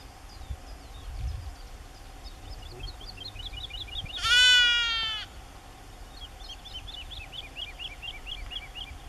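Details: Woodlark singing at Aekingerzand (Kale Duinen), Drents-Friese Wold, on 31 March 2016: steady series of short, fluted, slurred notes repeated rapidly, broken midway by a loud, bleating call lasting about a second.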